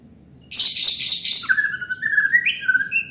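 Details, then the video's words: White-rumped shama launching a loud, rich burst of song: a dense high rattle sliding into a sustained whistled phrase that wavers and falls. "Murai batu gacor bikin panas"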